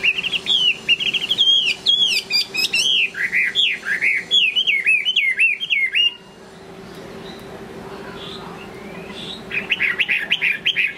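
A Chinese hwamei sings loud, rich, varied whistled phrases for six seconds, pauses, then starts again; a steady low hum runs underneath.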